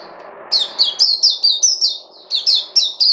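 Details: ['A songbird gives a quick series of loud, high, downslurred chirps, about four per second. The series pauses briefly, then resumes over a quiet background.']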